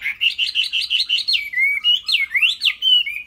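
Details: Caged Chinese hwamei singing a loud, varied song: a run of quick rising-falling whistled notes, then sweeping slurred whistles and a high trilled phrase, with phrases repeated rapidly and no other clear sounds.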